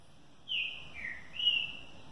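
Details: Caged green-winged saltator finishing its moult delivers a clear whistled phrase: a strong high note sliding down, then a lower slurred note and a rising, level final whistle, over faint background hiss.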